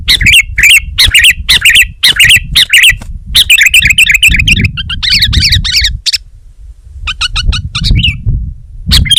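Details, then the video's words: Sooty-headed bulbul in full voice: rapid series of loud chirps flowing into a dense chattering passage, a brief silence, then fainter clipped notes, over a low hum. "Suara Burung Kutilang Gacor Terbaik 2022"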